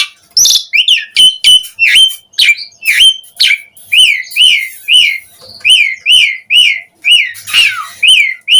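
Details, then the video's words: Gacor full-isian song of an Asian pied starling, used to lure other starlings to respond: a long run of loud, arched whistled notes repeated about twice per second, mixed with sharp clicks and short squeaks. "Suara Kicau Jalak Suren Gacor Efektif Memancing Semua Burung Jalak Auto Respon Cpt Gacor Full Isian"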